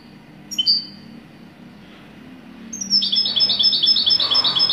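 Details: European goldfinch singing: one thin, high note near the start, a quiet pause, then from about the third second a fast, tinkling twitter of very high, bright notes repeated in quick succession.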